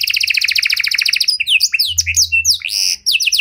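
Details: Panda canary with an elaborate song pattern, played to lure and train other canaries; opens with a rapid stuttering double-note trill, then breaks into varied sweeping whistles, chips and a sustained buzzy note.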